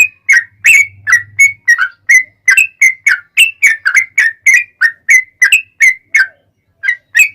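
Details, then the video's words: Yellow-vented bulbul, active 'ropel panjang' long rapid song meant to make other bulbuls answer: a rapid chain of clear whistled notes, slurring up and down and repeated about three times a second, with a low hum near the start. "SUARA trucukan gacor ROPEL PANJANG pancingan trucukan agar bunyi"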